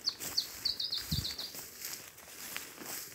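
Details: Putative Iberian chiffchaff singing at dawn in June near Skagen, Nordjylland, Denmark, apparently a newly arrived migrant; a short run of high, clear, slightly descending notes, then quieter notes, with soft rustling below.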